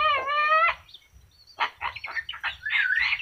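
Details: Talking yellow-crested cockatoo gives one long, rich, level-pitched utterance, then a string of raspy, broken syllables that rise into a loud, scratchy phrase at the end.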